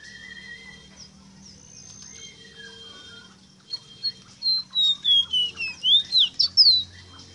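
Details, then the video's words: Rosita bird song: a burst of bright whistled notes, some sliding downward and others rising, delivered rapidly in a closing series over a steady low hum and faint tonal background. "EXTRAORDINARIO CANTO DE ESTA AVE ROSITA"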